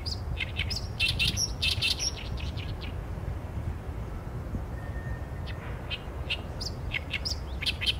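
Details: Oriental reed warbler recorded on a Sony A7M3 with a 200-600mm lens: a loud burst of harsh, scratchy chattering phrases for three seconds, a pause with a faint thin tone, then scattered rasping notes returning, steady low background hum.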